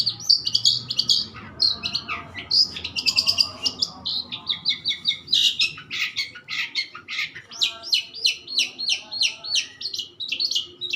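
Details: Long-tailed shrike delivering long varied song: mixed whistles and scratchy chatter, building into rapid rhythmic sharp notes near the end.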